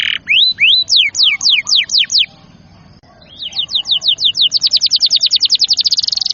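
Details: Singing canary, played to encourage young and reluctant canaries to sing: a few slurred rising notes, then quick descending sweeps, a short pause, and an accelerating trill that ends in a dense rapid roll.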